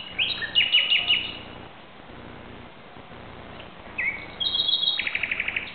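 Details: Common nightingale singing at night around 2:30 am in Barcelona, Spain, on 17 May 2009: rich phrases of whistled notes and rapid repeated chirps, a short pause, then a fast even rattle of repeated notes; faint background hum.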